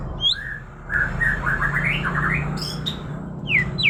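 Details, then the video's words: Murai (magpie-robin) giving a rapid jumble of warbled, chattering notes, mid-pitched and run together, with a few sharp high notes near the end over low background hum. "burung murai suara kuntilanak"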